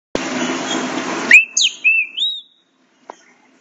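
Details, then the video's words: Eight-month-old young green-winged saltator from a breeder, learning to sing and showing speed; a loud rushing noise burst comes first, then a quick run of clear whistled notes that slide and rise in pitch, followed by silence. "FILHOTE DE TRINCA FERRO 8 MESES APRENDENDO A CANTAR, MOSTRANDO MUITA VELOCIDADE"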